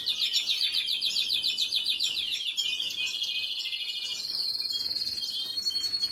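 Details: Canary chicks fed by a parent, 26 April 2022: a fast, pulsing series of high, squeaky cheeps, about three or four per second, then a long, wavering shrill note.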